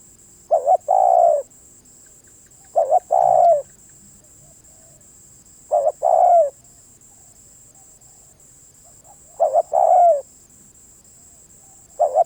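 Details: Slow spotted dove song: four phrases separated by pauses of about three seconds. Each is a short doubled coo and then a longer, falling coo. A constant high whine and a brief low hum are heard.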